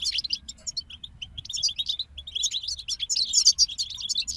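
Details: A group of European goldfinches singing: rapid twittering of high, liquid chirps with short repeated notes, bursting into dense bright trills, with faint low background rumble.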